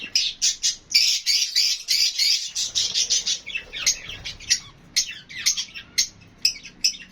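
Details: Lovebirds interacting: a continuous harsh, shrill chatter of rapid squawks for several seconds, easing into separate sharp chirps and clicks repeated about twice a second.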